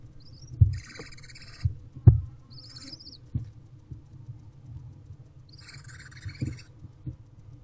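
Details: Barn owl owlets, siblings together in a nest box, recorded at 12:26 pm on 5/9/23: a few short, harsh hissing bursts separated by pauses, over frequent low thumps and shuffling of the young birds moving.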